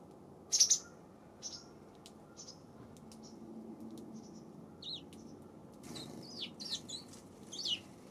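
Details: Eurasian tree sparrow on 7 February: scattered brief high chirps and twittering notes, with a louder pair near the start and a busier cluster toward the end, over steady low ambient rumble.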